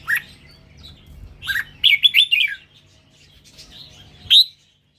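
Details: Indo-strain red-whiskered bulbul song, a cluster of quick lilting whistled notes in the middle followed by a lone sharp upward note near the end, with a low background hum that stops abruptly.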